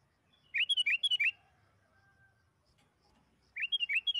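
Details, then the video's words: Sooty-headed bulbul singing, played to coax kept bulbuls into song: two bright, bubbly phrases of quick, looping whistled notes separated by roughly three seconds of near silence. "PANCINGAN BURUNG KUTILANG AGAR CEPAT BUNYI"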